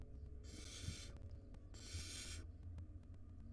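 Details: Barn owl chicks at the nest, five nestlings, the two smallest left short of food. Two loud, noisy hissing screeches in quick succession over low rumbling.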